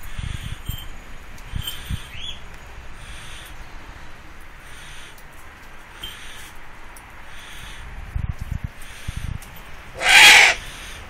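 A Eurasian eagle-owl gives one harsh, rasping screech of about half a second near the end. Faint chirps from small birds and low thumps come before it.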